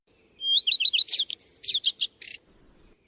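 A redstart sings one short phrase: a clear opening note, a quick run of three or four slurred whistles, then a scratchy, jumbled twitter. The background is quiet.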